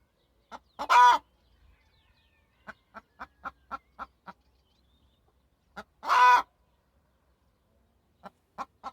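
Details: Domestic hen with two strong, nasal squawks several seconds apart, separated by a rhythmic string of quiet, quick clucks.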